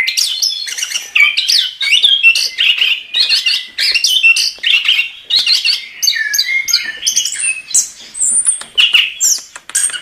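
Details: A long, dense passage of anis kembang song, the bird mimicking and mixing squeaky chips, twittering runs and high thin whistles in quick succession, with steady loud bursts throughout.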